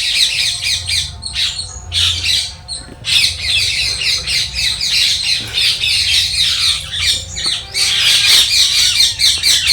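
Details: Several parrots squawking in a garden with a fruiting cherry tree: dense, harsh, rapid screeching chatter, overlapping and continuous, with bursts of louder calls throughout; a low hum underneath.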